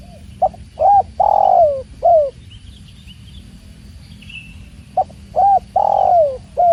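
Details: Spotted dove, called tekukur, with the sound of water: two repeated cooing phrases of short lead-in, hollow coo, long falling croo and brief last note, separated by a quiet pause with faint higher bird chirps.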